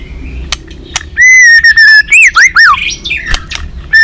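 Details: White-rumped shama (murai batu) singing in the balak 6 style, a recording used as a lure for catching birds: loud clear whistles, one long sustained note, then rapid looping slurred phrases, with sharp clicks and a low hum behind.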